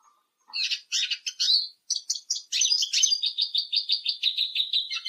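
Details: Eurasian siskin singing: high, scratchy twittering phrases with brief pauses, then a fast, steady run of repeated chirping notes, about six per second, with no other sounds.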